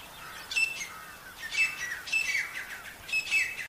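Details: Harsh squeaky notes of a wild partridge in the jungle, spaced phrases roughly every second, some notes with a thin whistled start falling lower, over a low hiss.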